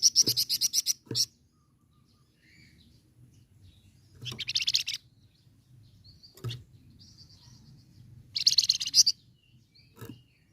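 A flamboyan bird gives loud, buzzy, high-pitched rattling bursts about every four seconds, with brief sharp chips between them over a low background hum.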